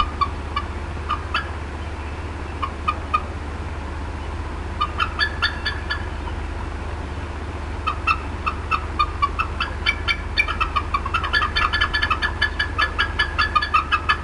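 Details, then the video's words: At the Decorah North nest on 18 April 2016, an upset mother bald eagle clucks in sporadic clusters of sharp high notes that build into a dense, rapid chatter near the end, over steady low-pitched background noise. "MOM UPSET & CLUCKING A VERT LONG TIME"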